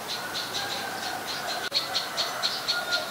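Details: Adult Common Tailorbird, a common resident, recorded in Ubon Ratchathani, Thailand, on 3 February 2023: a run of short, even notes near the top of the range, repeated about twice per second, over a steady background hum.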